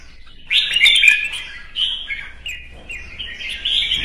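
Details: Red-whiskered bulbul singing a morning contest song among kept birds; a strong warbled phrase after a half-second pause, then lighter separate chirped phrases and a rising final flourish.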